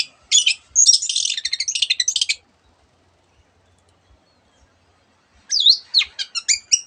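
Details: Long-tailed shrike song from a tutor recording: a dense burst of rapid high chattering, a silence of about three seconds, then looping whistles and quick chirps.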